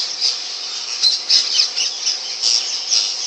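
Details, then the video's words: Indian ringneck parrot giving a rapid run of harsh, high squawks, several loud bursts about every half second over a steady high hiss. "Indian ringneck parrot"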